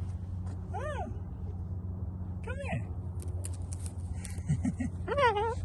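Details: Baby umbrella cockatoo at a park giving three short, rising-and-falling squawks spaced about two seconds apart, over steady low rumble and people talking in Korean.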